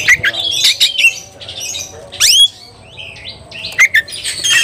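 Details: Oriental magpie-robin, worked up and searching for a rival to fight: bursts of scratchy chatter, a loud upward-sweeping whistle, soft quiet notes, then more sharp chips.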